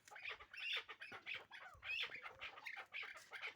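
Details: Hybrid chukar partridge, a young bird from last year, giving loud rhythmic clucking chuk notes in quick bursts about twice a second, each harsh and broadband.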